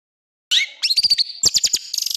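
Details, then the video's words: Long-tailed shrike (cendet) in Indonesian masteran training style, full of harsh rapid bursts (tembakan kasar): a downward whistled slur, then a quick series of sharp high buzzy notes and a short rattle of clipped chirps. "MASTERAN CENDET FULL ISIAN TEMBAKAN KASAR"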